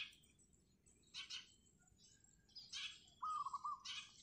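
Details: Morning song of a wild zebra dove on a rooftop: one short rolling coo of rapid pulsed notes near the end, preceded by bursts of high chirps from other birds.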